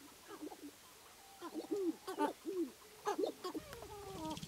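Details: Male Sharp-tailed Grouse battling and displaying to hens at a spring lek in Wisconsin's Namekagon Barrens: rapid series of low, arched clucking notes broken by crackly bursts, ending in a steady stuttering low note.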